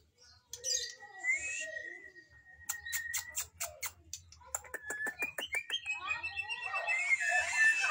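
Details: Magpie-robin singing: a long steady whistle, then a series of sharp clicking ticks repeated about twice a second, ending in a rich jumble of whistles and harsh notes.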